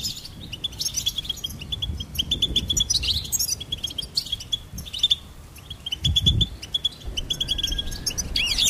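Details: Goldfinch song: fast repeated chirps and buzzy trills in successive phrases, with occasional low thumps and a steady rumble in the background.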